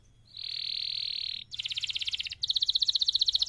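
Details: Canary training song for other birds: a smooth sustained buzzing tone, then a quick pulsed roll, then a louder rapid high trill.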